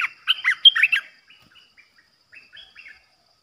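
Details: Olive-winged Bulbul decoy bird for trapping: a loud opening burst of bubbly, liquid notes, then trailing quieter short chirps and warbles.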